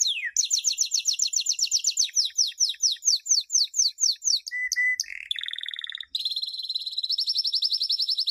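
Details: Canary song for training chicks, a champion performance: fast rolling trill slowing into descending slurs, a brief flat whistle, a buzzy low roll, then a sustained high rattling trill.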